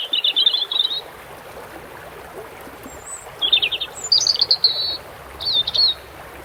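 A European robin sings short, high, thin phrases of fast trills and warbles, separated by brief pauses, over a steady rush of running water.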